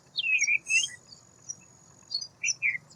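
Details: White wagtail with two bursts of twittering: a falling slurred whistle and a buzzy note, then softer chips after a pause, over a steady low hum and a thin high tone.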